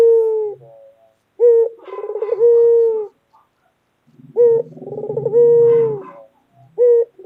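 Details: White local collared dove, a loud-voiced pet, calling repeatedly with a short note, rolling purr and long even coo. A soft low hum accompanies the second call, and a new call begins at the end.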